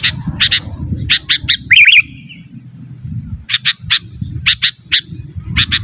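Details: Sooty-headed bulbul singing to challenge rivals, also used as a master for training caged birds: doubled chirps, a quick gurgling warble, then more chirps in pairs and triplets over low noise.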